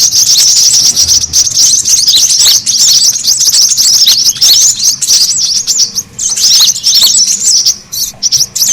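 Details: Brown-throated sunbird lure sound used to draw birds in: a dense, noisy chorus of high, thin twittering chirps and quick squeaky trills, overlapping without a break for the whole stretch.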